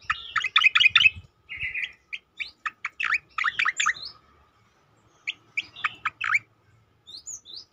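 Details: Striated grassbird song meant to train and provoke other birds, with bursts of rapid sharp chirps and dry notes, some clustered, others spaced about every third of a second, separated by brief pauses.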